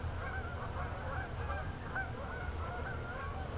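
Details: Geese passing at night between a field and Jourdan Lake near Lake Odessa, Michigan; scattered nasal honks sound over a heavy low rumble of background noise.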